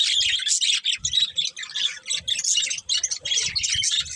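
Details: Pet budgerigars warbling: a steady stream of rapid, buzzy chirps and twittering notes with faint low thumps underneath.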